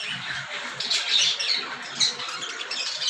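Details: Cockatiels squawking in a dense, steady burst of harsh, overlapping screeches and chatter with no pause.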